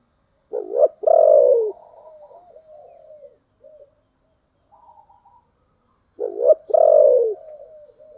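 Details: Spotted dove used as a decoy to draw in wild doves, 'giọng thổ đặc' voice style: a low stuttered opening note swelling into a long descending coo with soft trailing notes, repeated after a pause of about five seconds.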